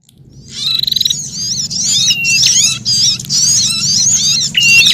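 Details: Frightened, threatened sunbird alarm mixed with prinia calls: high, shrill, rapidly warbling scolding notes, a fast trill near the start, then dense overlapping chatter with a low steady hum beneath.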